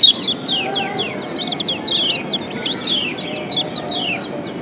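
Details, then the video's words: Kecial kuning, a white-eye from Lombok, used as a lure to provoke reluctant birds to sing: fairly soft series of quick descending high chirps and twitters, loosely spaced, over steady low background noise. "Kombinasi Ciak Joss Kecial Kuning PATEN‼️Ampuh Pancing Kecial Malas Auto GACOR‼️"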